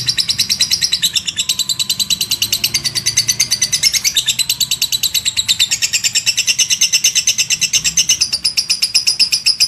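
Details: Lovebird ngekek: an unbroken, long chatter of sharp, high clicking chirps repeated about three times a second, steady and loud for the full length.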